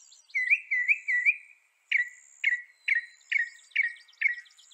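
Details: Northern mockingbird (Mimus polyglottos) of North America: three warbling, wavering whistles, a short pause, then six sharp, falling notes given evenly about every half second.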